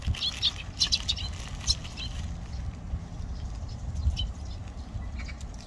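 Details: Eurasian tree sparrow in Olympic Park giving short, bright chirps in quick clusters during the first two seconds and again around the fourth second, over a steady low rumble of background noise.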